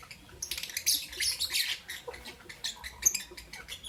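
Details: Pet lovebirds, albino and Euwing green opaline, in the morning: dense, scratchy high chattering and chirps blending together in a busy burst, with a few sharper squeaks.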